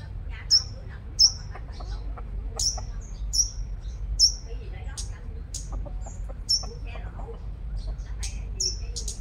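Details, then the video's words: Strong-singing five-colored sunbird lure from Long Thành, Đồng Nai, Vietnam, giving high thin slurred notes in uneven clusters, with scattered lower clucking and chattering sounds beneath them and steady low background noise. "Chim Hút Mật 5 Màu Mồi Siêu Hót"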